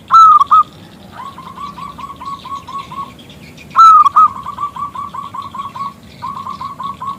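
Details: Local zebra dove with a big, crystal voice, used to call a male into song; three phrases, each loud clear opening notes followed by brisk runs of matching coos.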